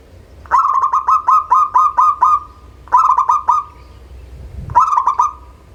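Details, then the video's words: Local perkutut (zebra dove) song used as a lure for birds that are slow to sing: bursts of rapid, clipped cooing notes at one steady pitch, about eight per series with pauses between, over faint background hiss. "SUARA Pancingan Burung Perkutut LOKAL"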